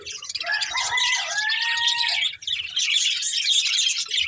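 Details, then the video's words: Pet budgerigar breeding pair chattering continuously, with a clear drawn-out whistled note early on under busy high warbling chirps. "Colourful Budgies Chirping Sounds"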